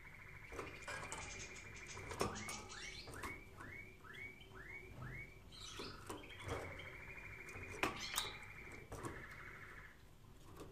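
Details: Canary training song: rapid rolling trills alternate with a series of about seven arched, swooping whistled notes repeated every half second, then another long buzzy trill. Faint hum in the background.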